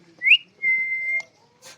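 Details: An angry pet talking parrot gives a quick rising whistle, then one long, steady, high whistle, ending with a short harsh burst.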